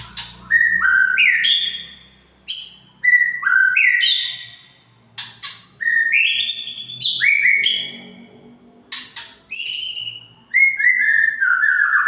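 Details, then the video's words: Lure song of a white-rumped shama, played to rouse other shamas: a strong run of varied whistled phrases, stepping and sliding up and down, some sweet and fluid, others sharp and chattering, with brief silences between bursts. "Pancingan murai batu biar emosi"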